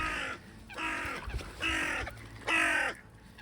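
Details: Crows calling near water in Bergen, Norway, in late September; four harsh, nasal caws spaced roughly a second apart, the last loudest, with faint background noise.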